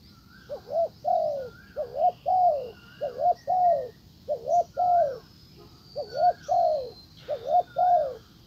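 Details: Spotted dove acting as a decoy to call in a wild bird, giving rhythmic coos: a brisk doubled note then a longer falling one, about eight pairs in steady succession, with thin high chirps behind.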